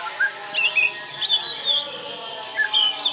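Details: Oriental magpie-robin song used to provoke silent birds into singing: brief high whistled phrases and sweeping slurs in short bursts, with quieter warbling between.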